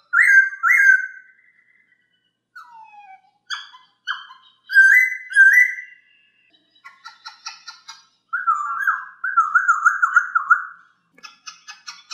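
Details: Masked laughingthrush singing a clear training song for other birds: paired loud whistled notes, a short descending note, scratchy chatter, then a long wavering whistled run ending in rough chatter.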